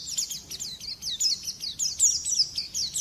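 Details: Continuous high-pitched twittering of a white-eye, quick downslurred chirps tumbling one after another without a break, thin and bright, over a quiet low background hum.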